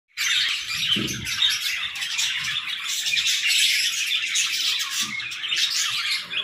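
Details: Budgerigars in an aviary, a flock of playful birds giving continuous, dense chatter: overlapping high warbles, chirps and squawks with no pauses, steady throughout, with a few faint low thumps near the start.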